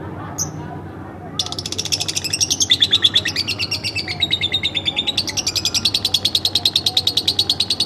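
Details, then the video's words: Home-kept lovebird in full chatter: one thin chip, then a long, fast, buzzy trill of rapidly repeated high pulses that wavers in pitch and continues for over six seconds. "masteran bukan tapi burung lovebird rumahan"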